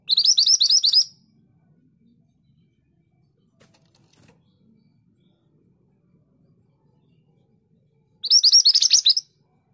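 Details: Scarlet minivet singing in a quiet setting: a one-second burst of quick, piercing high chirped notes opens, a long silence follows with faint rustling, then another fast run of bright whistled notes about eight seconds later.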